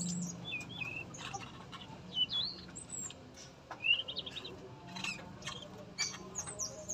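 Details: A caged male yellow-rumped flycatcher at a breeding facility, singing freely, delivers short upslurred and wavering whistles spaced a second or so apart, mixed with dry clicks and knocks against a low background hum.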